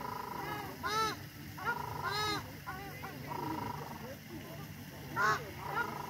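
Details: Ruddy shelducks on a frozen lake at Water Park, Tianjin, China, give nasal, honking calls in short bursts, rising and falling, several birds overlapping, with a low background rumble.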